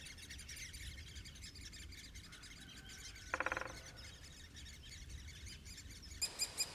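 Great spotted woodpecker: a brief, rapid burst of hard sharp notes, then a few high clipped notes about a third of a second apart, over steady chirping from other birds.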